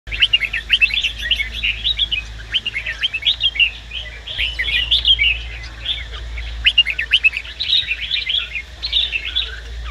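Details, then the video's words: Red-whiskered bulbul, with a female used to stimulate the male to sing, gives a lively, continuous run of bright chirps and short warbled phrases, fairly high-pitched, with a low hum underneath. "Chào Mào Hót .Chào Mào Mái Kích Bổi Ra Giọng"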